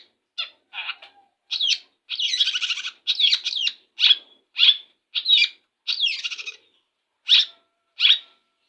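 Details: After its morning bath, a Long-tailed shrike sings a jumbled, energetic run of rasping buzzes, sharp downslurred whistles, and chattering bursts at an irregular pace, with quiet pauses between.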